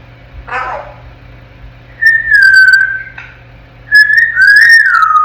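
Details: Ten-month-old African grey parrot in its crib: a brief raspy squawk, then two long, loud, pure whistles held steady with slight bends and wobbles, separated by a short pause; low hum behind.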